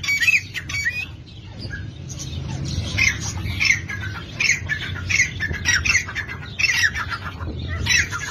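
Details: Partridge (dhakni tetar) giving rasping calls with squeaky rising tops, spaced under a second apart, over a background of low noise.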